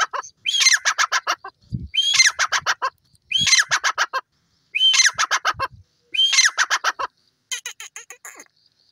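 A francolin repeats loud, harsh phrases: a rising note, then a rapid run of about eight grating pulses, given about every one and a half seconds. Faint low thumps sound between phrases.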